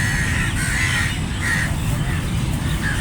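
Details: A flock of crows gives harsh, hoarse caws, a few drawn out and others short, scattered irregularly through the clip over a steady low rumble of background noise.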